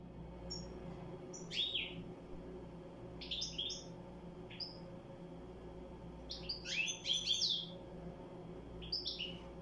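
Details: European goldfinch singing in scattered bursts of high, bright twittering notes separated by short pauses, over a low steady hum.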